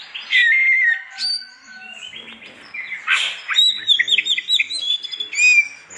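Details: Oriental magpie-robin singing in the morning to rouse other magpie-robins; slurred whistles and chirps, a noisy burst, then a rapid series of high chirped notes and a final bright whistle.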